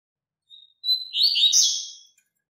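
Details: Double-collared seedeater giving a strong tutor song used to teach young birds: a thin, high, level whistle, a short pause, then a loud, rapid, buzzy warbled phrase of about a second that drops and fades. No other sounds.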